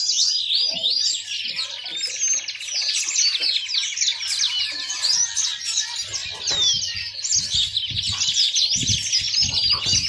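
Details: Yellow-fronted canary, known locally as mozambik, a yellow finch kept as a pet songbird, sings a fast continuous warble of high twittering notes, trills and buzzy rattles with no pauses; faint low hum beneath.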